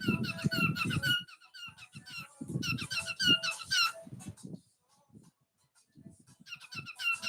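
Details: A cockatiel gives bursts of bright, chattering squeaks and short whistles, with low murmuring underneath.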